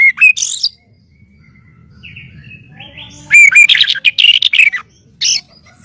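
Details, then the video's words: White-rumped shama song, recorded as master audio for training other birds: an opening phrase of sharp notes, a soft pause with thin whistles, then a loud run of rich, rapidly varied chirps and trills, ending in one short note. "SUARA BURUNG MURAIBATU"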